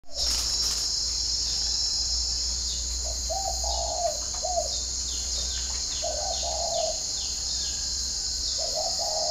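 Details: Spotted dove heard in the morning at a dove-keeping garden in Ba Vì district, Hanoi, northern Vietnam; low hollow coos in three-part phrases, a short note, a longer drawn note, then a short close, over a steady high insect drone and faint chirps.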